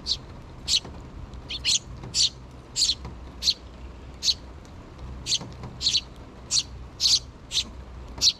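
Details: Two nestling sparrows begging parent birds for food, not yet fledged: a dense series of sharp high chirps, several doubled, coming every half second or so over faint hum.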